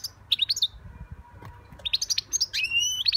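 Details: Young European goldfinch song: rapid tinkling chirps, then a drawn-out rising whistle mixed into the twittering, quiet low hum behind.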